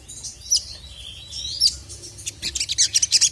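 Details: Sogon, a sunbird, agitated and calling a male: a few sliding high whistles open, then a rapid run of piercing twittered chirps builds toward the end.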